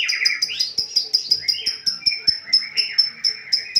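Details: A caged Medan white-rumped shama sings eagerly during conditioning, repeating a crisp high note at a steady beat while lower slurred whistles rise and fall beneath it.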